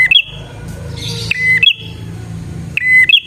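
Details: Bar-winged prinia song meant for luring wild birds: repeated high phrases of a flat note rising into a sharp upslurred flick, about every 1.3 seconds, over a low rumbling background hum.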